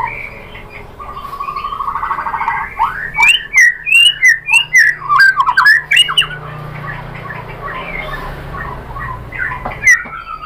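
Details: White-rumped shama lure song for drawing out rivals, a steady rising note then a dense burst of rapid chattering and whistled phrases, tapering into quieter scattered notes over a low background hum.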